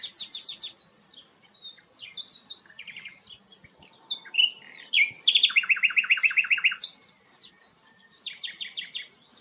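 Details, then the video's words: Rare sikatan londo in varied song: a fast burst of high notes, scattered twitters, then a long buzzy rattle of rapidly repeated notes, closing with a quick series of bright chips. "burung langka sikatan londo"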